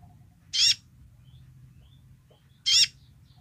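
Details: Sunbird known as kolibri ninja, singing its basic song: two brief, harsh, buzzy high notes about two seconds apart against a low hum.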